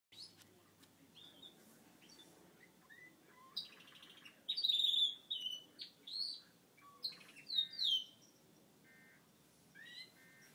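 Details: Pet male Gloucester canary singing after his moulting period: after a quiet start, bursts of sweet whistled phrases, sharp rising sweeps and short trills in separate bouts, in a quiet indoor setting.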